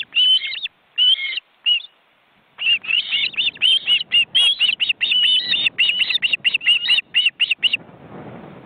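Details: Osprey family on a nest in an Estonian forest reserve, seen by webcam, four birds crowded together as chicks flap their wings. A few separate whistles, a pause, then a long fast series of sharp high chirps.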